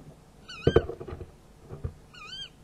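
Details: Tawny owl at night (about 23:44, 11 February 2016) during prey transfer, giving two short, wavering tonal calls, clear and ringing, about a second and a half apart, between sharp knocks and bumps.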